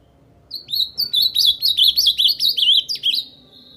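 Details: Ultramarine grosbeak (azulão) from Paraná singing a rapid, clear warbled phrase of repeated rising-and-falling whistled notes, about a dozen quick syllables over roughly three seconds, loud and close against a quiet background.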